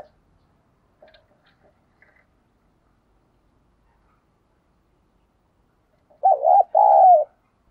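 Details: Spotted dove giving a coaxing coo and calling coo, used to lure wild doves: after a long near-silent stretch with faint ticks, one loud two-part coo, a wavering note then a long falling one.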